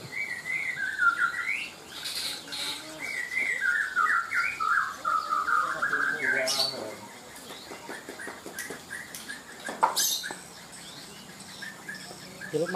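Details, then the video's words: Lovebird in the paud class at a bird singing contest in Kaltara, Indonesia: a long, wavering, warbled chatter that dips and rises over six seconds, followed by scattered chirps and sharp tapping clicks. "LOVEBIRD Paud"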